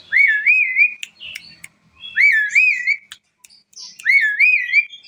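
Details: Asian pied starling singing vigorously, its song setting off other birds to call: three wavy, rolling whistled phrases about two seconds apart, each rising then undulating, with sharp clicks and chips between them.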